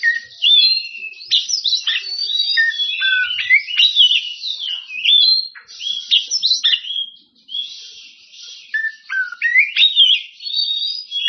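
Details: Oriental magpie-robin in full ngeplong-style song, calling out rivals: a fast, continuous stream of loud whistled and scratchy phrases, many sliding up or down, with short pauses around six and seven seconds before the song resumes.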